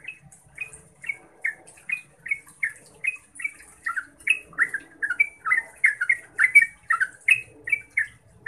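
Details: Yellow-vented bulbul, Pycnonotus goiavier, singing in rapid 'ngeropel' style meant to draw answers from other bulbuls: a long run of short bubbly chirps at a steady mid pitch, about one every half second, with a faint low hum behind.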